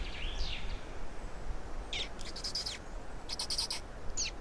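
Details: Feeding black storks in Estonia, 16 May 2019 around 12:47: after a curving whistled note, clusters of harsh, breathy high-pitched bursts follow in two groups, ending with a short sharp note.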